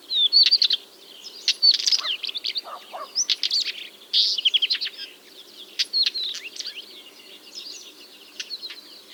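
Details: Song of a Northern wheatear at its nest site in Pronsky District, Ryazan Oblast, June 2023; a lively jumble of crackling, rattling and twittering notes in quick repeated bursts, with clicks and short whistles, fading toward the end.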